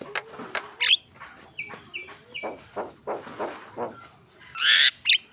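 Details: Javan myna song meant to stir contest birds. Brief ticks and flat whistled notes are followed by soft rasping phrases and a loud harsh squawk with a thin whistle near the end.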